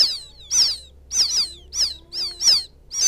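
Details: Quail chick of the paddy fields calling for its mother, recorded as a lure sound: sharp, high, downward-sliding peeps, often doubled, repeated about every half second and clear against a quiet background.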